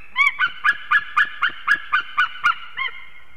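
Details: Two unringed adult eagles at a Latvian nest in Ķemeri, 6:01 am, 8 March 2024, calling as one arrives and they mate. About eleven rounded yelping notes, roughly four a second, then a softer final note.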